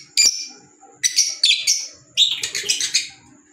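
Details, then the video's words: Green Fischer's lovebirds at home give loud, piercing, harsh chirps, first singly and spaced, then in a tumbling chattering burst of overlapping screeches. A faint constant whine sits in the background. "Fisher Love Birds Sound"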